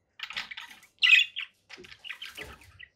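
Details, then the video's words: Harsh squawk from a conure parakeet, one loud grating burst followed by softer chattering notes and scratchy calls, with a faint splashing sound underneath. "conure parakeet sounds"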